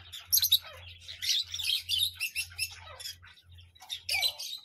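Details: Parrot calling almost continuously with scratchy, buzzy squawks and a few squeakier notes, dense bursts packed closely together over a low droning hum.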